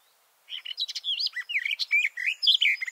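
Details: Garden warbler (Silvia borin) heard up close from beneath its bush: after brief silence, a sustained, fluent warble of rich rolling whistles and fast chattering notes.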